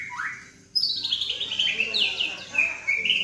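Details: Juvenile White-rumped shama, Medan type with black legs, about 3.5 months old, kept caged in Yogyakarta. After a short rising whistle, a loud run of high, clear whistled notes follows, with upward sweeps and bright chirps.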